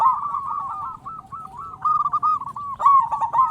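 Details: Strong-voiced local zebra dove, a lure for getting other zebra doves to call: continuous trilling coo, notes rippling evenly, then louder bursts toward the end, over low hum.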